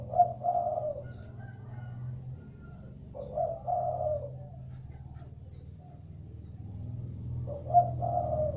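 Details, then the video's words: Spotted dove (deruk, tekukur) used as a lure to prompt other doves to call; soft low coo phrases roughly every three to four seconds over a steady low hum. "pancingan burung deruk agar cepat bunyi... burung deruk gacor pancingan burung deruk bahan."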